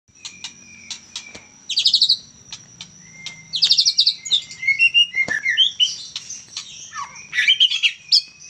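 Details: Young white-rumped shama, a Medan bird, singing: scattered high ticks, then varied whistled warbles and buzzy bursts that grow busier toward the end, over a faint steady background hum.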